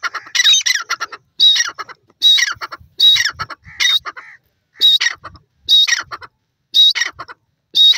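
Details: Grey francolin (teetar) giving the 'Dakhni teetar' call: loud, harsh, shrill multi-note phrases repeated roughly once a second, each burst squawking and strident, separated by short quiet pauses.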